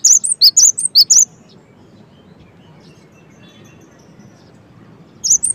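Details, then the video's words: Cinereous tit song, one short burst of high, clear notes at the start and another at the end, with quiet in between. "suara GELATIK BATU gaCoR"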